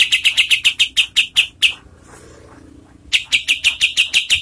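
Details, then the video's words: Evenly spaced, sharp high chirps from a kapas tembak serving as master song for contest birds, a pause of over a second, then the chirps resume at the same quick rhythm. "SUARA KAPAS TEMBAK untuk MASTERAN BURUNG LOMBA"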